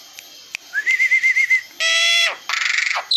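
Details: Black-winged myna singing: a quavering whistled note held near one pitch, then a harsh buzzy burst and a rapid rattling series, ending with a high squeak.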